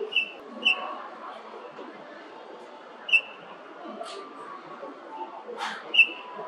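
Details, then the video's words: Golden-breasted starling giving clear, short whistled notes, single or in quick pairs, spaced a second or more apart, with a few faint buzzy sounds and a soft background murmur between them. "鳥の鳴き声【キンムネオナガテリムク】Golden-breasted Starling Lamprotornis regius"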